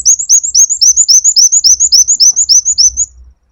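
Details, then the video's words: A sunbird pours out a rapid run of high, thin, upslurred whistles, about three or four a second, bright and insistent, over a faint low hum. "KOWUL GACOR NGEPLONG JAHAT"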